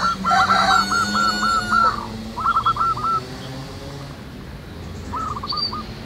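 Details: Local zebra doves singing in the wild, three separate bursts of rapid cooing notes, the first overlapping a loud tonal harmonic call, with a high chirp near the end.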